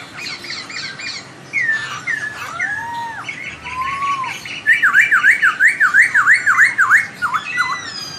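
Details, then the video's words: Laughingthrush singing melodiously so another laughingthrush answers at once: mixed whistles and chatter, then a rhythmic string of about ten loud V-shaped whistles, dipping and rising, roughly three per second. "KICAUAN POKSAY YG MERDU MEMBUAT POKSAY LAIN LANGSUNG NYAUT"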